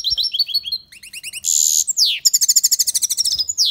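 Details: Aviary European goldfinch singing loudly: rapid high chirps and twitters, a harsh buzzy burst and a falling sweep, then a rhythmic, fast series of bright tinkling notes; faint low thumps in the background.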